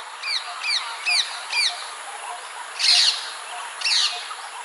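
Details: Rose-ringed parakeet near Polonnaruwa, Sri Lanka, 6 March 2019, giving four shrill, down-slurred notes about every half second, then two harsh, grating screeches.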